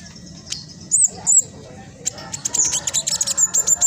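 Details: Speckled black sunbird giving its rapid, close-packed chattering song, used to prompt other sunbirds to join in; a few high squeaks, then a quickening run of thin, sharp twittering notes.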